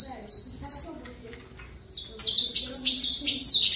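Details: Saffron finch: two clear downslurred notes, a short silence, then an energetic, jumbled stream of high chirps; a faint low hum sits underneath.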